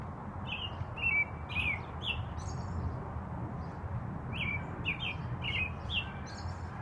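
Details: An American robin sings very loudly at about 5 pm, two bursts of short, slurred whistled phrases, mid-pitched with a few thin high notes, over a steady low rumble.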